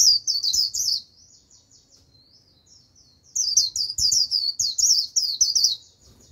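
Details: Japanese white-eye decoy bird singing its líu song to lure a wild flock: a rapid burst of high, thin twittering notes, a pause of about two seconds, then a longer run of sharp chirps.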